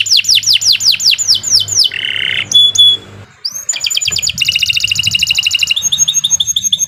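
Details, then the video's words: Canary singing a long, continuous 'gacor' tutor song (masteran): a quick series of falling whistled sweeps, a harsh buzzy burst, pure high whistles, then fast metallic trills, over a faint low hum. "Kicau Burung Kenari"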